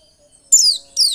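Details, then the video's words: A white-eye gives two quick, high, thin twittering phrases that slide downward with a brief pause between them, otherwise quiet; a recording used to stimulate pet white-eyes to sing. "Pancingan pleci biar gacor dan ngotot"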